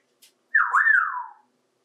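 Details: Adopted 28-year-old male African grey parrot playing with toys in a bathtub indoors, saying "Hi" in several voices; one drawn-out whistled "Hi-iiii" sliding up then gliding down over under a second, in a quiet room.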